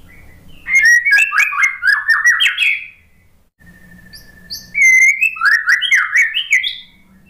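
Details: White-rumped shama song used as a lure for shamas reluctant to sing and stressed after moulting: two bursts of rapid, varied whistled and chattering phrases, each opening with a clear level whistle, separated by a short pause.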